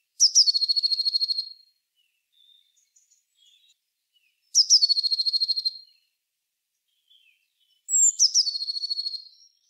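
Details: Eurasian blue tit, wild, repeating its song three times about four seconds apart: each phrase a high thin introductory note running into a rapid, evenly spaced trill, with faint soft notes between.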